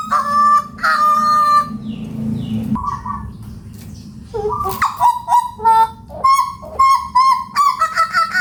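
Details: Hooded butcherbird, endemic to Papua, singing: a varied run of clear, harmonic-rich notes, some held and some short and rising, broken by a brief pause, over a low steady background hum.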